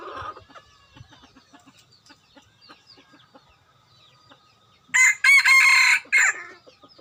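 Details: Domestic rooster kept as a lure bird gives a single strong, raspy crow lasting about one and a half seconds near the end. Softer clucks and scattered faint chirps come before it.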